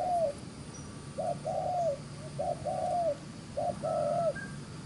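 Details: Quick-cooing wild spotted dove in 'gù xiết' style, delivering three two-part phrases of a brief lead note and a longer falling coo. A faint high chirp and low steady hum are also present.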